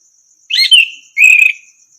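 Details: Tutor song of an orange-headed thrush for training other birds: two loud whistled phrases, the first a rich warble dropping in pitch, the second a sustained fluty note with slight tremolo, against faint continuous insect noise.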